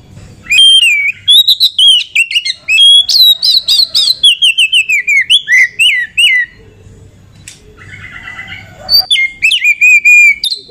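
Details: Female Oriental magpie-robin (kacer) singing as a lure to rouse other magpie-robins and draw males into song: long, energetic medley of rapid whistled and slurred notes, varied pitch sweeps and chips, a brief pause, then resumed clear whistles.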